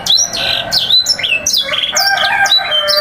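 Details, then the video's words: Training song of a canary meant for young birds learning to sing: energetic series of high downslurred whistles mixed with buzzy rolling notes and a steady lower trill running underneath, continuous and loud. "Pancingan dan masteran burung kenari PAUD belajar BUNYI full sanger"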